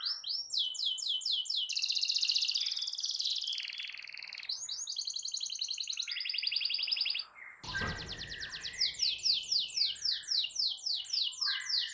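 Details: Persistent canary song aimed at stimulating a silent canary: fast repeated high sweeps and extended buzzy rolls, broken by a short burst of noise, then strong rhythmic trilled phrases.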